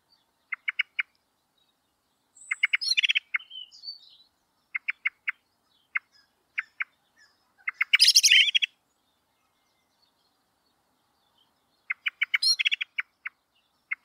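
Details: Common blackbird (Turdus merula) call: sharp, repeated chink notes broken by short, excited chattering bursts.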